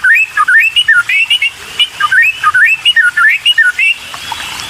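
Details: Constantly hungry white-rumped shama nestlings begging during feeding by a parent; a steady run of wavering, whistled chirps rising and falling, about two to three per second, stopping near the end.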